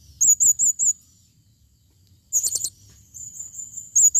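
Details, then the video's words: Calls of a female blue-crowned hanging parrot, 2021: four quick, shrill, wavering notes, a long silence, then a rapid burst of high squeaks and a drawn-out thin tone ending in another shrill note. "serindit betina memanggil"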